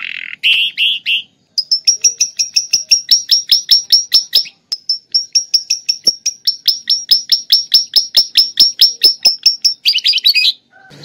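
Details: Canary with lovebird-imitation song: a brief buzzy burst, then a long fast series of thin high ticking notes, a short pause, more rapid ticks, ending in a harsh buzzy flourish.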